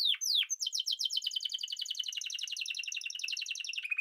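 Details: Spanish timbrado canary singing two falling sweeps, then a long dense rapid trill that slowly drops in pitch and ends on a steady lower roll.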